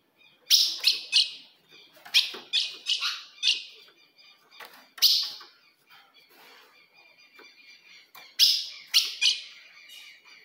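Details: Ultramarine grosbeak female calls used to provoke a male: clusters of two to four sharp chips separated by short gaps, with faint steady thin tones and soft clicks in the background.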